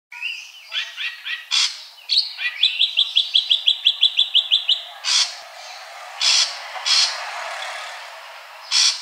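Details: A kept Ashy drongo, recorded to encourage singing, gives a quick run of about a dozen bright, clipped notes after mixed chirps, then loud harsh bursts spaced a second or so apart.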